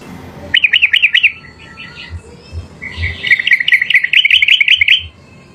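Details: Yellow-vented bulbul in the wild singing loudly, delivering a short chattering warble, a few soft notes, then a longer rapid bubbling phrase, with low thuds in the background.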